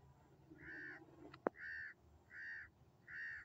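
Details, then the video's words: Sindhi black francolin (kala teetar) calling: a series of harsh, nasal, grating notes, each about half a second long and spaced roughly every three-quarters of a second, with a sharp click between the first two. "Sindhi Kala Tetar ki Awaz | Such Subhan Teri Qudrat | Kala Teetar Voice"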